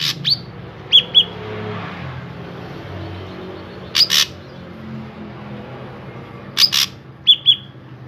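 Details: Lure song of a drongo for drawing other drongos into singing: scattered groups of two or three harsh, grating notes, each followed by paired clear whistled chips, separated by pauses of a few seconds, over faint low hum.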